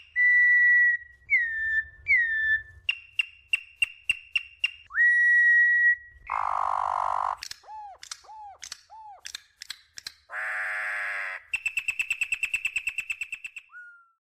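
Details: Campo troupial (Icterus jamacaii), a Brazilian endemic, sings loud, clear whistled phrases mixed with quick stuttering notes and harsh buzzy bursts.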